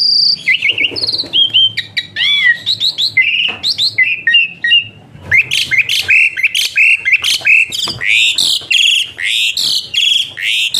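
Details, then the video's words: Asian pied starling giving a whistling song used for training other songbirds: varied loud whistles, slurred rising and falling notes and harsh chattering bursts that run almost without pause, dense and busier in the second half. "Burung Bersuara PELUIT Jalak Suren"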